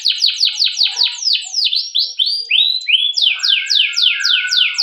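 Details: Canary's long rolling song serving as a training lure for other canaries: fast series of descending whistled sweeps, a few longer slurred rising notes, then another quick run of sharp downward chirps.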